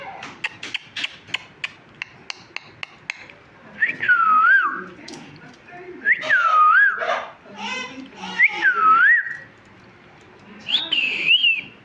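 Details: Talking parrot: a quick run of clicking taps, then four looping whistled chirps that dip and rise, the last one higher and wavering.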